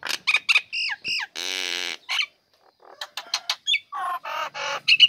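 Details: Female Nias hill myna in a cage, singing vigorously as soon as its cage cover is opened, used to lure lazy birds into singing: loud varied whistles and sharp clipped notes, one long harsh buzzy burst, then a quick run of mixed calls.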